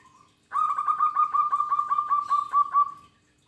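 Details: A local zebra dove in strong voice: after a short soft note, a fast run of roughly thirteen round, hollow coos follows at an even pace, holding one pitch for about two and a half seconds.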